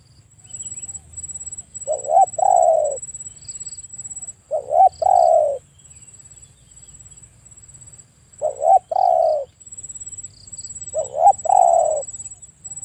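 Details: Spotted dove calling in four separate bursts, each a quick stuttered coo run into a longer, falling croo, repeated roughly every three seconds; a thin, steady high-pitched whine and a soft low rumble run underneath throughout.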